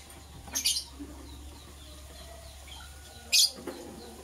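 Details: Green and blue lovebirds chirping in the morning while preparing for egg laying: two sharp, high, scratchy chirp bursts about three seconds apart, with faint softer chirps between them over a low steady hum.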